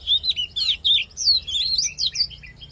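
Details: Oriental magpie-robin fighting song, used to rouse a male into fiery form and for voice training: rich, varied whistled phrases sliding up and down, quick notes in a steady tumbling run, no other clear sounds.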